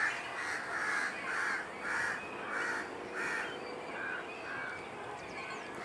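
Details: Several hungry great cormorant fledglings begging for food from parents at Kaikondrahalli lake nests, 21 April 2021; loud, harsh calls repeated nearly twice a second in pulsing bursts, over steady background noise.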